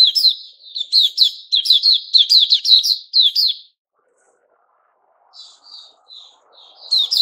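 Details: White-crowned shama known as Puteh Raja, growing new plumage, 6 September 2021; about three and a half seconds of rapid, bright whistled notes, then near silence with a few soft, quiet notes before singing starts again.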